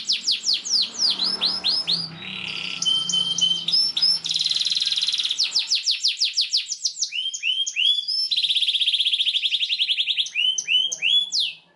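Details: A canary sings a long, varied, emotive song of rapid chirps, trills and rolling buzzy runs, high-pitched and nearly continuous with no other sounds; used as a tutor song for young canaries learning to sing.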